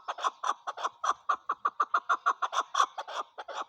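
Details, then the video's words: Chukar partridge in a loud, clear series of hoarse chuk notes, about four per second, evenly spaced, with no other sounds. "chakor voice chakor birds chakor sound"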